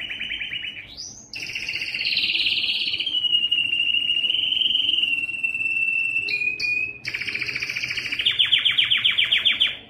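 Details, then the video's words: Song of a yellow canary: a rising whistle opens into long, steady rolled trills, brief clipped notes, then a fast pulsing rattle near the end, all continuous and loud. "yellow canary singing"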